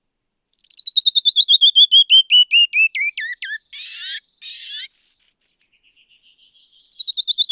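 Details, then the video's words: Canyon wren song and call: a cascade of about twenty clear whistled notes falls steadily in pitch, ends in two harsh buzzy notes, then begins again. "Canyon Wren Song and Call"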